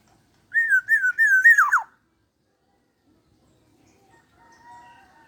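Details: A 21-year-old black-naped oriole, singing vigorously and suited as a tutor bird, gives one loud mellow whistled phrase rising and dipping several times before a steep drop, followed by near silence with faint distant tones.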